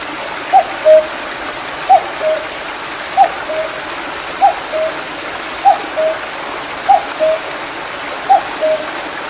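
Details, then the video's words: A Common cuckoo in the mountains behind Mandeok-dong, July 2019, repeats its two-note falling "cuck-oo" about every 1.3 seconds, seven times, over the steady rush of a small stream swollen after rain. "뻐꾸기 소리(Sound of a small stream and a cuckoo)"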